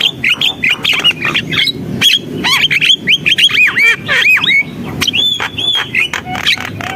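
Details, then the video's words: Chattering gacor song of a Javan myna, packed with bright upslurred and downslurred whistles, looping squeaks and clicking rasps, delivered in a fast, continuous, varied stream. "JALAK KEBO GACOR, SUARA JALAK KEBO"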